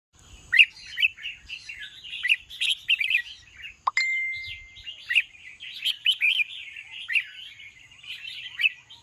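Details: Red-whiskered bulbul singing in the evening: a dense run of short, bright chirping and warbled notes, rising and falling, delivered in quick bursts throughout with brief gaps, and a thin steady high tone in the background.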